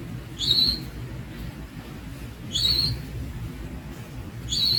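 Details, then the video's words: Thin, high rising calls from young Javan Munia (Lonchura leucogastroides), three notes about two seconds apart, against a low rumbling background. "The Young Javan Munia Bird"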